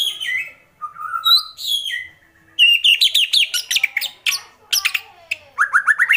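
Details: Agitated white-rumped shama in kretekan style, opening with clear whistles, then bursts of rapid high clicking notes and a run of short rising slurs.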